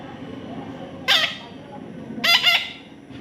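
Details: Young parrot during taming, uttering two brief grating squawks about a second apart, the second broken into quick rasping pulses, against faint room noise.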